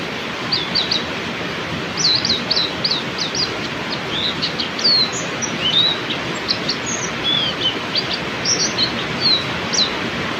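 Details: Oriental white-eye singing in heavy rain: rapid high twittering notes and short sweeping whistles in quick bursts, with brief pauses, over a steady loud hiss of rainfall.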